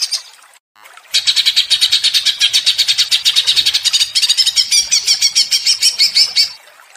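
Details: Greater green leafbird stirred into agitated ngentrok singing. After a brief silence, a long, dense run of rapid, harsh high notes continues for over five seconds.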